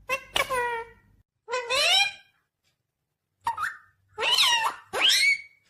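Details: Indian ringneck green parrot talking: five separate harmonic, speech-like phrases, some rising and some falling, with short pauses between them, recorded in a quiet indoor room.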